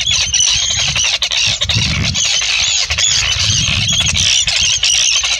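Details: Arctic terns in the UK in July 2016 give a dense, continuous chorus of harsh, high screeching calls that overlap without pause, over a low rumble of wind.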